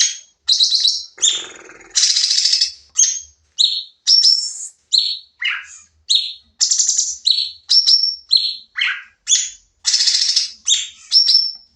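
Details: Sooty-headed bulbul, lively shooting song for a training recording: dense, nonstop run of sharp chirps, whistles and buzzy bursts, about two notes per second, with a low rasping note early on.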